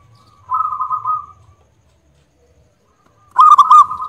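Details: Local zebra dove, loud-voiced and singing actively: a softer, blurred rolling coo first, then after a long silence a louder run of quick cooing notes that is cut off at the end.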